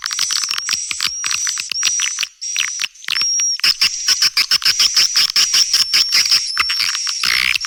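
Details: Calling sound for young swiftlets, rapid dry clicks repeated almost twice a second under a steady high thin whistle, with brief gaps near the middle.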